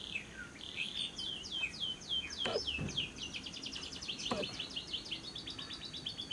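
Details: Lovebird long ngekek trill, a lure for prompting lovebirds to sing day or night: starts with scattered downslurred chirps, then builds into a rapid, even rattle of high repeated notes, with a few knocks.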